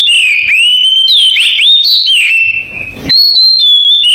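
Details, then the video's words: Oriental magpie-robin singing in canary-imitating style: long clear whistled notes, some sliding and some flat, with a short quieter gap near the middle. "Suara Kacer kenari falk"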